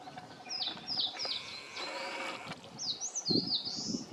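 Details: Distant Eastern crowned warbler singing from high treetops: a series of slurred descending whistles, then after a pause a second phrase ending in a buzzy upward note, over steady background noise and a brief low thump.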